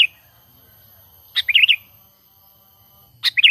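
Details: Trapping lure of a sooty-headed bulbul's natural call, unmixed with other songs: brief gurgling, bubbling phrases of several quick up-and-down notes, spaced roughly two seconds apart, with a clean background.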